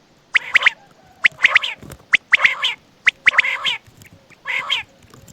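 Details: Quail calling at night near Attock: quick clusters of two or three sharp, high clipped notes, repeated about once a second, mixed with harsher, broader nasal squawking bursts between the groups.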